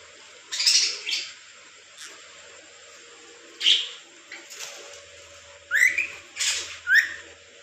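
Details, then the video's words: A pet lorikeet parrot gives a handful of sharp, high squeaks and shrill rising chirps in short bursts, with quiet pauses between them and a faint background hum. "mithu bolny wly lorikeet parrot"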